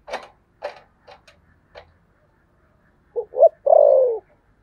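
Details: Spotted dove in the 'thổ sấm' voice style: several faint clicks and taps, then one deep coo phrase of two short hoots and a long, falling note.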